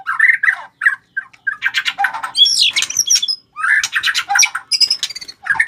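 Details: White-rumped shama calling out a challenge to fight: harsh, scratchy chattering bursts mixed with short whistled slurs, delivered in quick, irregular clusters.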